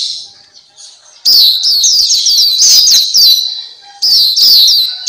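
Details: Tutor recording for caged black-capped white-eyes: after a quiet opening, a rapid run of high, sweet, downward-slurred chirps, a short gap, then another lively burst of twittering notes.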